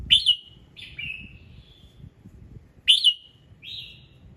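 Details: Morning song of a red-whiskered bulbul, used to set other birds singing: two pairs of clear whistled notes, each an emphatic down-slurred chirp followed by a softer trailing whistle, with faint low background rumble.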